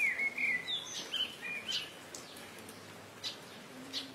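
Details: A congregation of Streak-throated Swallows (also called Cliff Swallows; Ababeel), nesting colonially in mud nests at the Rice Canal of Sukkur Barrage, Sindh, Pakistan, give quick, high twittering chirps, then fainter scattered notes over a steady outdoor hiss.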